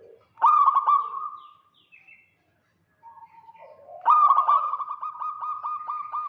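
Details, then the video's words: Local zebra dove, vocal and in 'kerot' style, calling to draw out a rival: a loud stuttered coo fades into a held tone, soft low notes follow a pause, then a long rolling run of clipped, evenly spaced notes. "Perkutut lokal GACOR KEROT MANCING LAWAN"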